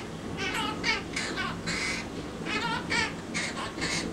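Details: Monk (Quaker) parakeet practising the French song "Alouette" in its cage, warbling the learned human tune in wavering, voice-like syllables; it sings only in the cage, mostly at the bottom.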